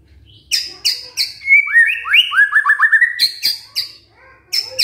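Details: Lure song of a white-rumped shama, meant to make a lazy male start singing: sharp high chips, then a fast series of rising slurred whistles repeated about four times per second, ending in more bright chip notes; no other sounds.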